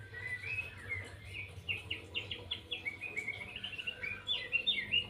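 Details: White-rumped shama in 'lepas trotol' style: fast, evenly repeated short notes in a rattling series, several per second, mixed with bright whistles, over a low hum.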